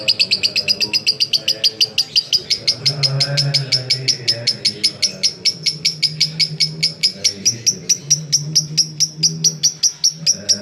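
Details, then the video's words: Long ngekek song of a lovebird, used to coax other lovebirds into song: a sustained series of sharp, clipped high chirps running for over ten seconds, slowing slightly toward the end, with a low hum behind. "LoveBird Konslet Ngekek Panjang Terbukti Ampuh Pemancing Love Bird Ikut Ngekek"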